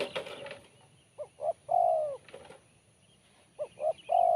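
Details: Spotted dove with a sharp, crisp voice singing in the BL Kuk 1 style: two short rising hoots, then a long, drawn-out descending coo. The phrase comes twice, opening after a brief burst of noise.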